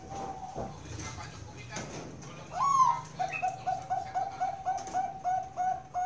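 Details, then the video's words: Caged Bangkok-type zebra dove at a Central Java bird farm in Kroya, Cilacap. After a quiet start with a single low note, a swelling opening coo leads into a steady string of short, bouncing, mellow notes that runs to the end. "PERKUTUT BANGKOK SUPER MERDU"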